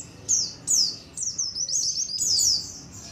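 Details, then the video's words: A colony of white-eyes, used as a lure to attract wild white-eyes, gives a busy stream of thin, high, twittering notes that rise and fall, several overlapping in quick succession over faint background hiss. "SUARA KOLONI PLECI COCOK BUAT PANCINGAN PLECI AGAR CEPAT NGALAS | SUARA PIKAT BURUNG PLECI"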